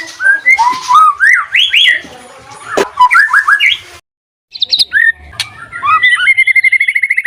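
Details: White-rumped shama singing in a lure recording aimed at stressed, unresponsive birds: bright slurred whistles and squeaks, a sudden silent break, then a rapid run of repeated chipping notes.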